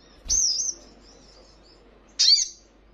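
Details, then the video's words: Ruby-cheeked sunbird in a recording to train caged birds to reply: two sharp high chirps nearly two seconds apart, the first trailing into a faint soft twitter. "Buktikan jika Sogonmu bermental Bagus..Dalam hitungan Detik,pasti langsung ikut Nyaut dan Ngleper"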